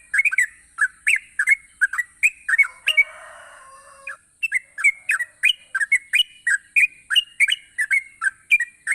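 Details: Yellow-vented bulbul singing gacor to draw lazy bulbuls into song: brisk gurgling double notes, broken around three seconds by a faint lower warble, then an unbroken fast series of liquid whistles, over steady hiss.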